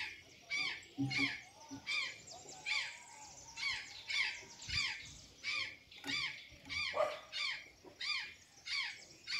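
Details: Azure jay in Santa Catarina at a feed of banana and sweet potatoes, repeating hoarse, descending squawks around one and a half per second, with a few soft knocks underneath.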